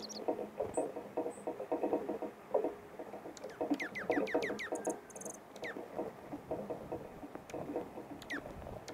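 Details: Dark-eyed junco in a Wisconsin backyard: a quick run of five sharp, downslurred chips and a few later high ticks, over steady low pattering and rustling.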